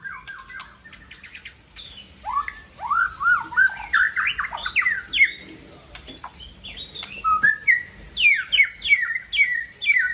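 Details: White-rumped shama aged seven years, originating from Tangse, Aceh, delivering a loud, rich, varied song of rising and falling whistles, slurred warbles and quick chattering notes, phrases tumbling one after another.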